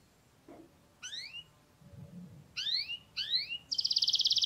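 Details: Canary song fragment: three upslurred whistled notes with overtones after a faint low sound, then a fast bright trill starting at the end; quiet background noise.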